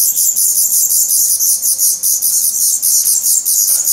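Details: Hungry, feathered Black Redstart nestlings at a nest in Portugal, 17 May 2020, losing their down as they grow fast; a dense, high, hissing begging chorus pulses about four times a second without a break.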